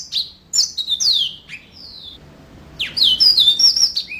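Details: Yellow-fronted canary singing energetically: high, sharp downslurred whistles and quick chirps, a short pause, then a fresh burst of rapid sliding notes.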